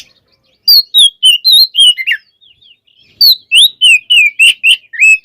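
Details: White-rumped shama in full, varied song, used to provoke other shamas into quickly becoming agitated: loud, clear whistled phrases of sliding and warbled notes, each about a fifth of a second, in two rapid bursts separated by a brief pause, with a silent background.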